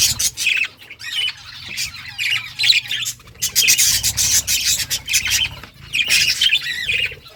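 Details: Budgerigars in a caged breeding colony at home, Australian budgies chattering; scratchy squawks and warbled chirps come in overlapping bursts, with a low hum underneath.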